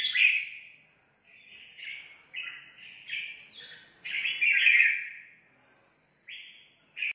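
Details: Competitive singing by a red-whiskered bulbul newly brought in from the forest: chattering sequence of short whistled and warbled notes, rising to a loud rich phrase near the middle, then a pause and two final notes.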